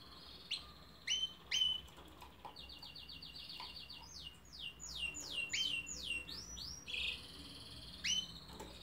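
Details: Canary song: sharp loud chips, a rapid even trill of repeated notes, then a cascade of steep descending swoops and a few final bright chirps.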